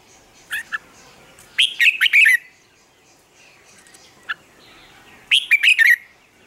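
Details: Red-whiskered bulbul singing in the morning as a training lure: two bursts of fast, slurred, warbled notes around the middle pitch range, each under a second, with single sharp chirps between and quiet gaps.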